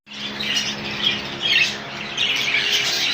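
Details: A colony of rainbow budgies bursts into shrill chirping and squawking that swells after a quiet start, with a low steady hum in the background.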